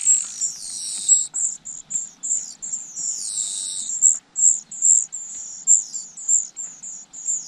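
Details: Nestlings waiting for their parents to bring food, giving very high thin begging calls in rapid repeated bursts, several overlapping with louder wavering squeals around the first and third seconds.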